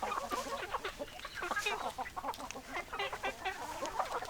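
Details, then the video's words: Dense chorus of hens clucking, many short rapid clucks and chirpy notes overlapping throughout with little pause. "Chicken Sounds Noises Hens Clucking Roosters Crowing"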